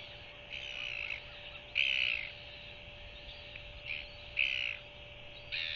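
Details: Newly hatched Royal albatross chick, still with remains of its yolk sac, begging as its mother bends to regurgitate food at an evening feeding, 21 January 2023; short harsh squeaky bursts, about five in six seconds, over steady hiss and hum.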